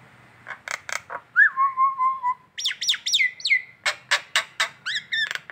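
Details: Collared kingfisher calling in the morning in Indonesia, a ngekek call: clipped notes in quick groups, then a drawn-out whistle falling and levelling, followed by steep falling whistles and a run of sharp repeated notes.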